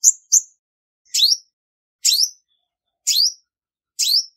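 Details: Two quick high chirps, then four evenly spaced, sharp upward-sweeping notes about a second apart, from a female olive-backed sunbird in Vietnam; clean, quiet background.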